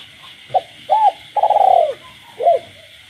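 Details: Kept spotted dove cooing at night in the countryside: a short clipped note, an arched hollow coo, a long rolling burred coo, then a final arched note, over a steady high chorus of frogs.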